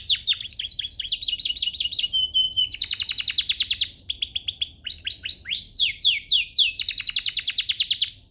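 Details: Canary master song for training: fast repeated down-slurred chirps in tight series, a short steady whistle, then long rattling rolls and sweeping trills delivered nonstop at high pitch.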